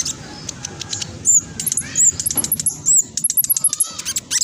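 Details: Fast, close-packed chatter from a spotted black sunbird, used as a lure so other black sunbirds join in singing: sharp high clicks mixed with quick, thin, arching whistled notes repeated several times.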